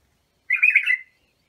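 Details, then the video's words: Bulbul song intended to train young bulbuls: one half-second warbled phrase of liquid, tumbling notes that fades off at the end, clean and unaccompanied. "تغريد بلابل ابو شعيب لتخريج البلابل"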